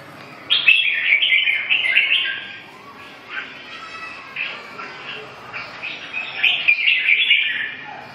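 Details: Red-whiskered bulbul with loud rich warbled phrases at the start and end and softer chirps between, set against low background noise.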